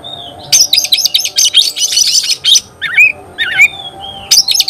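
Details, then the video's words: Oriental magpie-robin singing, answering another magpie-robin: a long stretch of fast, harsh chattering notes, then a few squeaky upslurred calls and a soft whistle before the chatter returns. "Kacer gacor bikin kacer ngobra KONSLET"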